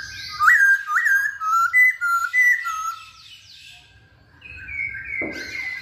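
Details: Masked laughingthrush in lively song, used as a lure to start other birds singing: loud rising slurred whistles and level whistled notes, a quiet stretch, then a harsh burst and long high whistles.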